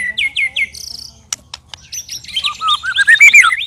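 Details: White-rumped shama, one of three birds sparring at once, giving strange loud sounds: three quick upslurred whistles, a short buzzy phrase and sharp clicks, then a fast run of varied whistled notes rising and falling.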